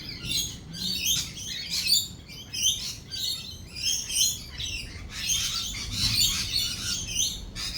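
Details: Many lorikeet voices chatter through rolling thunder and lightning, a loud shrill screeching that pulses in surges roughly every second, with little low-frequency sound.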